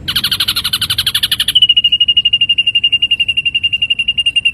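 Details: Ashy drongo song recorded as training material for songbirds: a fast harsh rattle of stacked, buzzy notes for about a second and a half, then a steady, even trill of clear high pulses at one pitch.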